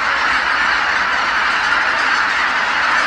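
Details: Geese returning at dusk to Kabukuri-numa marsh after feeding, tens of thousands calling together as night falls; a dense, unbroken wash of overlapping honks fills the whole short stretch, with no other sound standing out.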